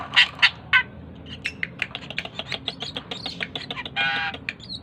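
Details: Tame Asian pied starling singing actively: three loud harsh squawks open, followed by a rapid run of short clicking and chattering notes and a buzzy rasp near the end.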